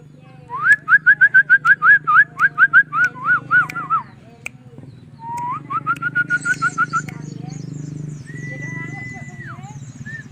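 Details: White-rumped shama (murai batu) showing off: a fast run of about fifteen loud, clear, repeated whistled notes, a pause, a second rapid run, then a long level whistle, over a steady low hum.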